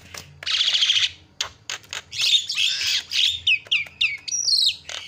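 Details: Javan myna lure for getting other birds to call: a long rasping buzzy note opens, followed by clicks, noisy chattering bursts and a string of short downslurred whistles near the end.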